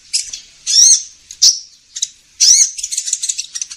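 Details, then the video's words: Trapping lure of the kolibri ninja sunbird: two loud, wavering high calls with sliding tones, separated by short chips. The clip ends in a fast, dense chattering trill. "Suara pikat burung kolibri ninja"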